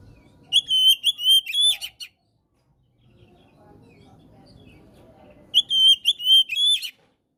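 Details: Kacer, the Oriental magpie-robin, in energetic gacor song meant to coax silent birds into singing: two bursts of piercing sustained whistles with quick chattering ends, separated by a few seconds of faint low rumble.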